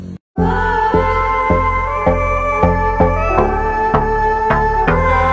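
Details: Instrumental folk-style music with sustained tones and regular plucked beats after a brief silent gap, with no animal voice.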